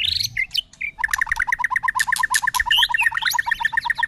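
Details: White-rumped shama giving a long song with tail flicking and continuous voice changes: a few sharp whistles, then a fast steady series of repeated doubled notes with higher whistles over them.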